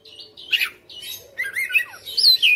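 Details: Caged, home-bred Oriental magpie-robin in a fighter style, unloading its repertoire. A short burst of mixed whistles, harsh chatter and quick slurs ends in loud, bright descending whistles.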